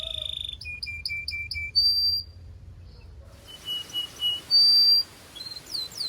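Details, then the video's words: Belgian canary heard in a sparse passage of song meant to warm up canaries and stimulate females: a steady tone, a short series of paired whistled notes, then isolated pure whistles and a few quick high slurs over a faint hiss. "Corner to Warm Up Belgian Canaries and Fire Up Females"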